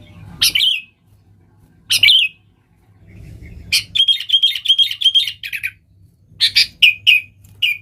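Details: Spirited sooty-headed bulbul song meant to call wild bulbuls: isolated sharp calls at first, then a dense chattering trill, followed by a few separated chirped notes.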